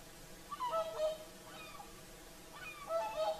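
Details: Evening song of whooper swans at sunset by Lake Saimaa, Finland: clustered bugling, honking notes in two bursts, one near the start and one near the end, with softer calls between.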